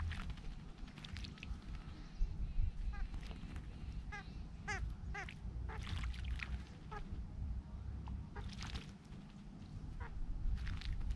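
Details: Large grey babblers bathing give short, nasal, quacking notes in quick bursts over a steady low rumble of background noise.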